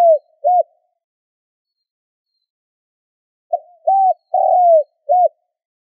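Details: Spotted dove call used to lure wild birds: a clipped coo at the start, then after a pause a full four-note phrase, short coo, arched coo, long falling croon and a final short coo, on a silent background.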